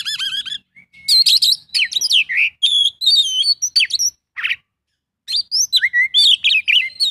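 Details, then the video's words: Oriental magpie-robin in full song, packed with varied imitated phrases: trilled notes, sharp chirps, looping whistles and scratchy bursts in quick succession, with a brief silent gap before the outpouring resumes. "kacer isian full"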